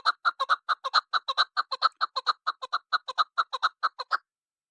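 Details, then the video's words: Female chukar partridge calling, used to lure birds for hunting: a steady series of clucking chuk notes, roughly two per second, some given in quick doubles, against silence. "Shikari Chakor Barf KeklikSesi Madi Chakor ka Awazشکاری چکورآوازمادی چکورآواز"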